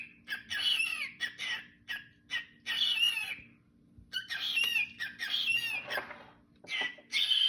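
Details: A pet cockatiel whistles a learned tune, the song "Juicy", in bursts of bright, warbling, chattering notes.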